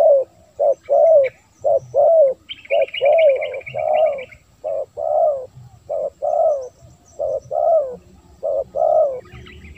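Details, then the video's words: Lure call of a spotted dove for attracting wild birds: a long run of soft hooting coos, short notes alternating with longer drawn ones, while another bird gives a high twittering trill briefly. "Suara Terkukur//Untuk Memancing Burung Terkukur"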